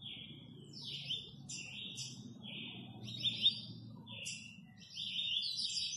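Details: Fast-singing 'velocista' Double-collared seedeater of Guarujá gives a run of short, sharp whistled and buzzy phrases in quick succession, some notes sliding downward, with low background hum.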